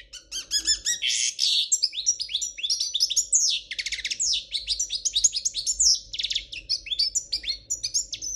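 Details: Spanish royal goldfinch singing an error-free song: a long, dense stream of high, liquid twitters, rattling buzzy trills and quick slurred notes tumbling without a break, with a soft steady hum underneath.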